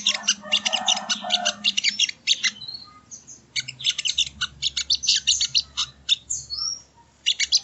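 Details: Ruby-cheeked sunbird (sogon) song recorded as masteran training audio: energetic high chirping in quick volleys, some thin rising whistles, brief lulls between phrases, and a soft low drone underneath.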